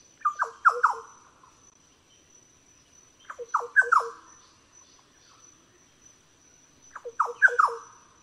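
Green Oriole gives quick bursts of three or four mellow, liquid falling notes, repeated about every three and a half seconds, over a thin steady insect whine.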